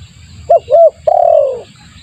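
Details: Spotted dove cooing as a lure for trapping birds; two quick short coos then one longer, slowly falling coo, a single clear phrase over faint low background noise.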